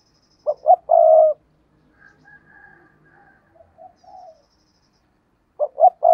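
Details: Spotted dove used as a decoy cooing hard: a loud phrase of two short notes and a long low coo, quieter distant dove murmurs in the gap, then the next phrase beginning.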